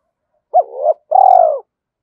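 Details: Spotted dove kept as a decoy, with a thổ-style voice and calling to excite wild doves: a brief upturned note, a soft rising murmur, then a sustained throbbing coo that drops at the end.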